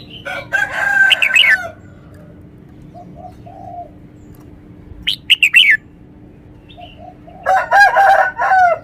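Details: Red-whiskered bulbul performing clear song phrases: a buzzy, rattling burst, then a run of quick bright whistles, and a final harsh chattering phrase, with gentle low coos between bouts.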